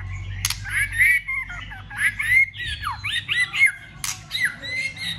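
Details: Fighting song of a white-rumped shama, clicking and flicking its tail to excite other shamas into singing. Rich, varied whistled phrases rise and fall rapidly in short bursts, with a few sharp clicks and a steady low hum beneath.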